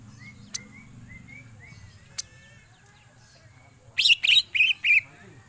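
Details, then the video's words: Greater green leafbird in njegrik style: soft rising whistled notes and a few sharp clicks, then a burst of four loud harsh chattering notes packed close together near the end. "cucak ijo gacor njegrik"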